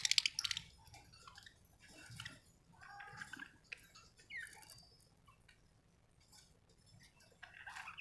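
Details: A budgerigar chatters in broken warbling phrases mixing squeaky notes with buzzy twitters, louder at the start and trailing off, with brief pauses between bouts.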